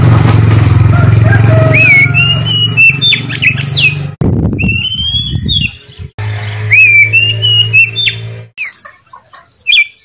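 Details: Kacer (Oriental magpie-robin) singing loudly and ceaselessly in a bright, ringing voice: clear whistled notes, sharp upward slides and quick chattering bursts, interrupted by short pauses, over a steady low engine hum.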